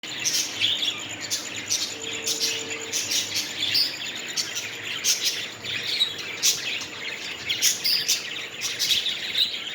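Continuous high, scratchy chirps and squawks from several parrots overlapping with no pause, above a faint steady whine.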